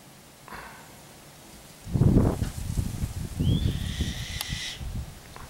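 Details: White-tailed kite, one of a pair that perches in redwood trees by a home in town, Petaluma, California, 11/2/11: a short rising whistle slides into a harsh, raspy grating note lasting about a second, over loud rustling and thumping.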